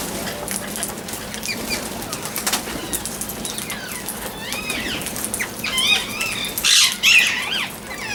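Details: Parrot chirping amid a busy background of many small ticks and rustles; toward the end, a run of quick, wavering chirps with bending upswept notes grows louder and denser, then fades.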